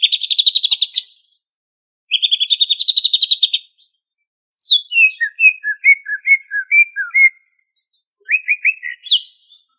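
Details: Full-fill ngentrok singing by a greater green leafbird from Banyuwangi: two bursts of fast buzzy trilling separated by a pause, followed by a long run of varied descending chirps and warbled notes, then a final rising series.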